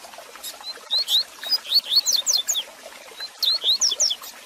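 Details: Double-collared seedeater tutor song to excite a kept bird, given as rapid runs of piercing high whistles that swoop up and down. A long busy phrase is followed by a shorter one, over faint crackling.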